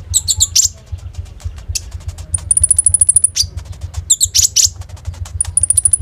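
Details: Konin (common iora) in full singing form, Oppo phone recording: clusters of quick high chips alternate with long, very high, rapid even trills, some chatter between, and a persistent low hum below.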